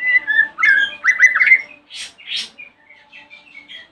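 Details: White-rumped shama singing in the morning as a lure to draw replies from other shamas: bright warbled whistles, then two harsh hissing bursts and soft scattered notes over a faint steady hum.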